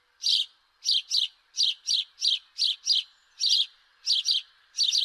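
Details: Repeated doubled chirps from a house sparrow, each pair rapid and emphatic, over a faint steady low hum.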